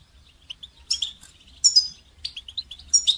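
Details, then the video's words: Brief goldfinch song for training songbirds: a few thin chirps, then bright, clipped twittering notes with a ringing, slightly buzzy phrase at about one and a half seconds. "goldfinch song training"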